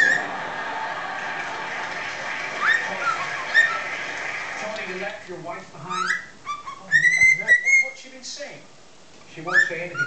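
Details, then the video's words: Six-month-old cockatiel kept as a pet, imitating the Chocobo and Addams Family tunes. Background television noise comes first, then a run of quick clicks and bright whistled notes that slide up and down. "Chicken the cockatiel sings the Addams Family & Chocobo tunes"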